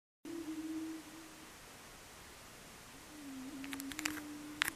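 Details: Greater prairie-chickens lekking at Bledsoe Ranch, Wray, Colorado, USA, on 9 April 2022: males give low, hollow, moaning booms, two drawn-out hoots a few seconds apart, with sharp clucks and cackles near the end.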